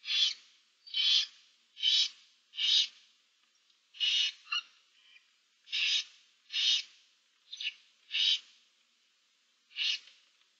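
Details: Barn owl nestlings, seven in a nest box, 15 March 2024, produce a run of about eleven short, noisy hisses, roughly one per second with uneven gaps.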